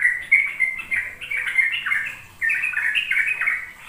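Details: Ropel-style singing from a sooty-headed bulbul, a training lure for young birds. Mellow whistled notes wobble in two sustained runs separated by a brief pause.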